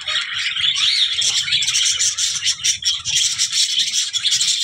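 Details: Budgerigar chattering in a dense, scratchy warble of fast chirps, over a low rattling and shuffling noise in the background.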